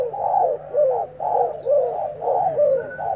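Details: Spotted dove used as a decoy, untamed and just brought home, cooing in a fight: deep mellow coo notes repeated rhythmically, faint small-bird twitters above.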